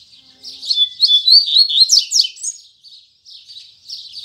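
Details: Double-collared seedeater opening its firm 'tui tui zel zel' song in the morning. A rising string of clear whistled notes leads into sharp downward buzzy strokes, followed by quieter scratchy twitters.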